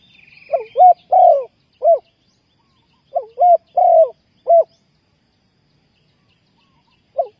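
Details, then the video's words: Spotted dove used as a lure for trapping wild doves. It utters two full phrases of soft cooing, each with a short lead note, a clear coo, a longer descending coo and a closing coo, then silence before another begins. "นกเขาใหญ่สายต่อดิน,Tekukur pikat,Cu gáy Ninh Thuận,Sound Of dove"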